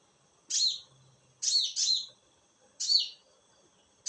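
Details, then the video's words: Night-time konin calls: loud, high, slightly descending chirps, a single note, then a close pair, then another single, with a near-silent background. "Suara konin di malam hari"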